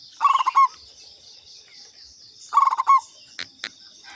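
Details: Lure call of a local Indonesian zebra dove: two rippling phrases of fast soft coos ending in a longer note, followed by two sharp clicks and a continuous high-pitched insect drone.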